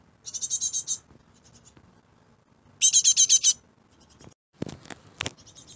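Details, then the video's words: Fledgling great tits out of the nest in a garden, calling in repeated bursts of five to seven rapid, harsh, high notes, with a couple of sharp clicks and brief rustling between bursts. "Fledgling Great Tit Chicks in my Garden"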